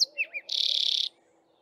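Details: Male Streaky-headed Seedeater singing canary-style from a bushtop in the dawn chorus while females build nests: two quick slurred whistled notes, then a dense, rapid, buzzy high trill lasting about half a second.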